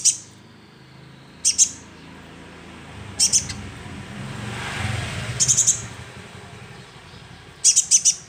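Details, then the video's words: Calls of a young sunbird used as a lure: brief doublets and triplets of sharp high chirps every one to two seconds over a soft hissing, rumbling background. "Pancingan suara konin"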